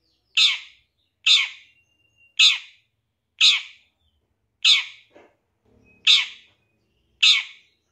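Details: Long-tailed shrike, 2023 contest champion, with a lure call used to make shrikes sing quickly and become worked up: seven loud, grating chack notes spaced about a second apart, with a short faint sound between two of them.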